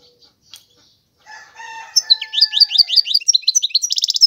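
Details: European goldfinch song starting after a quiet opening. A few soft nasal, twangy notes lead into rapid, high, sparkling twitters and a closing burst of fast repeated chirps.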